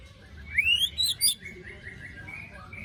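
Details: Lure recording of a white-rumped shama for shamas gone silent after moulting: one rising whistled sweep breaking into harsh scratchy besetan notes, followed by soft, faint chattering.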